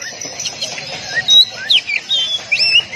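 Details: Oriental magpie-robin (kacer) training song for caged birds, 'tembakan rapat' style: scattered sharp whistled notes and short slurred phrases, some rising steeply, spaced irregularly over a faint hiss.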